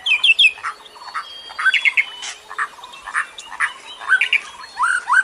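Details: Lure bird sounds: harsh, squawky chirps in short clusters spaced irregularly, with thin high notes and a soft hissing background.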